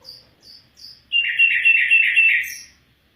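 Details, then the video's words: Afghan bulbul song opening with three thin high whistled notes, followed by a loud, rich warbled trill of rapid fluttering notes lasting about a second and a half, ending in a brief high flourish. "Afghan bulbul bird voice افغانی بلبل کا آواز"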